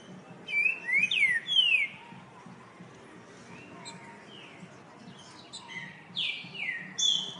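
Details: Green-winged saltator (trinca-ferro) singing: short clear whistled phrases, slurred and rising or falling, loud at the start and again near the end, with quieter notes between over a faint background hiss.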